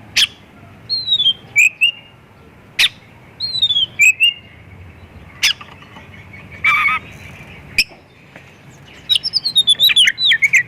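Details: White-rumped shama in full song meant to lure other shamas to sing: loud whistled phrases sliding downward, sharp clicks and a fast rattling series of notes near the end.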